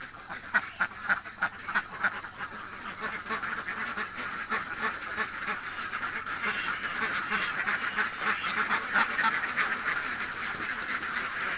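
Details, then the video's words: Hungry ducks in a village start with a few separate loud quacks, then swell into a constant overlapping chorus of nasal calls. "duck quack hungry sound effects"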